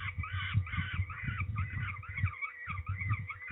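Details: During ringing of peregrine falcons at Trzebież, Poland, on 13 May 2019, grating, wailing calls come in short bursts with brief gaps, over low thuds.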